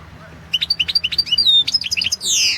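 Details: European goldfinch recorded for a world goldfinch song championship, singing a rapid jangling series of chirps with a drawn-out whistled note, ending in a loud buzzy rasp.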